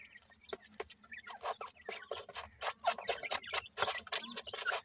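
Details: Francolin (teetar) chicks during feeding: dense bursts of sharp, clicky chirps and brief peeps repeated rapidly over several seconds, with scattered rustles between calls.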